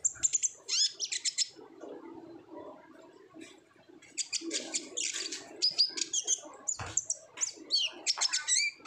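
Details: Ngobra-style song of an olive-backed sunbird, used as a lure so young birds sing readily: shrill chattering bursts and thin whistles, a quieter gap midway, then dense high trills and twittering.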